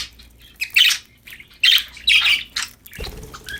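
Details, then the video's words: Budgerigars chirping happily while playing: a run of sharp, raspy chirps and squawks in clustered bursts, ending in a low knock or bump. "Happy Parakeets Chirping Sound #budgies Singing, Playing"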